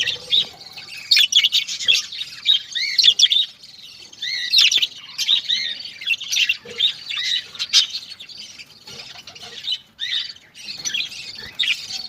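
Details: Captive exhibition budgerigars in breeding cages chatter continuously in warbling, squeaky bursts, with scratchy chirps from several birds at once.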